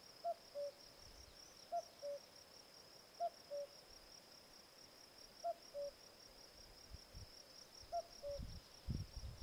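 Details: Common cuckoo (Cuculus canorus) gives its falling two-note 'cu-coo', repeated about every two seconds, over a steady high insect trill and some low rumble.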